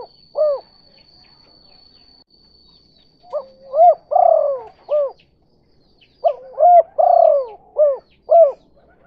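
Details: Kuk 2 style spotted dove call played as a lure for other doves: two full phrases of soft coos, each with a long burred middle note and short arched notes after, in near silence.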